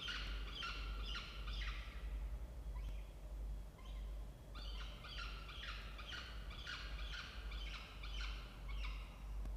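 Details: Peregrine falcon family at a nest box in a water tower, Orange, New South Wales, Australia, October; rapid raspy chattering calls in dense bursts, brief pause midway, continuous low hum underneath.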